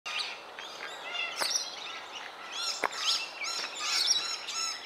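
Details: Two scaly-breasted lorikeets fighting trade harsh, shrill, overlapping screeches in a nonstop squabble, with sharper bursts every second or so.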